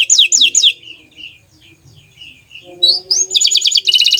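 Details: Bottle-green canary giving a few falling whistles, then soft quiet twitters, followed by a loud burst of rising notes and rapid high rolled syllables.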